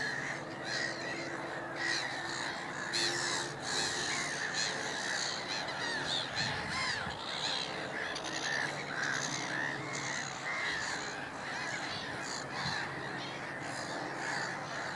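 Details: Noisy flock of black-headed gulls at Middleton / Fishers Mill, a Mediterranean gull among them; dense overlapping harsh, grating calls from many birds sound continuously throughout, with no clear gaps.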